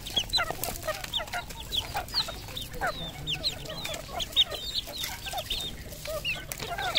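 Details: Many red junglefowl on a farm in Cambodia, continuous chorus of short high upslurred peeps overlapping at irregular intervals, with occasional clicks and low background hum.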